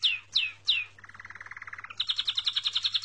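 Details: Bright song from a small bird: three loud downslurred whistles, a lower rapid buzzing trill, then a quicker high-pitched trill of repeated notes, with a faint steady hum behind.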